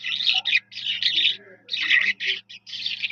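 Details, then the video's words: Continuous fast skylark song, known locally as Jal Mashadi: harsh, buzzy trilled phrases tumbling one after another with tiny gaps, high and bright, over a quiet low hum. "جل مشھدی کی پیاری آواز ۔ Sky Lark bird beautiful Voice. Jal Mashadi."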